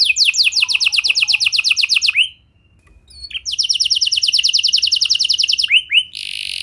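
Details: Canary lure song for setting other canaries off: a fast trill of repeated notes ending in a whistle, a short silence, then another long even trill and a rising whistled finish.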